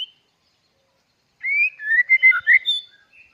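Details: White-rumped shama of the dokor type, singing actively: a brief burst of clear whistled notes in quick succession, sliding up and down in pitch, after a short near-silent pause.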